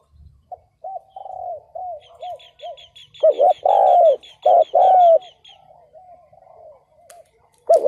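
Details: Ground decoy spotted dove calling to lure wild males into the trap in 2022. Soft, quick coos build into a loud cluster of rounded coos, then fade again, while a rapid string of thin, high chirps runs in the background.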